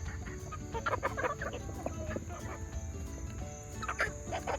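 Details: Flock of yard chickens, second-generation junglefowl hybrids with game hens, at feeding time: scattered short clucks and squawks from several birds overlap, with a steady high whine and a low rumbling background throughout.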